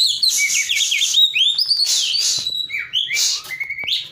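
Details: Oriental magpie-robin in full song, used to coax a magpie-robin that has stopped singing: loud, continuous, richly varied whistles, slurred rising and falling notes and harsh bursts, fast and unbroken.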